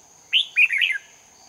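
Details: A lure red-whiskered bulbul sings competitively at a trapping site in Hòa Bình, 18 November 2019. It gives one quick phrase, a rising whistle followed by a rolling, warbled run, against a constant thin high hum.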